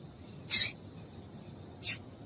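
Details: Calls of a female Double-collared seedeater, used to get a male singing: two crisp, very high chip notes about one and a half seconds apart, the first louder and longer, over quiet low hiss.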